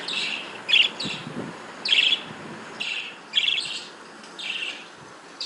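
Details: Breeding Australian parrots, budgerigars, giving short bright chirping bursts about once a second, each a brief high warble, with quieter chatter between them.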